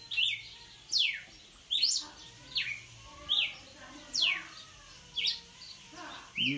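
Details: Energetic red-cowled cardinal song of clear, falling whistled notes repeated close to once a second, mixing high slurs and brief buzzy syllables, with faint low background murmur.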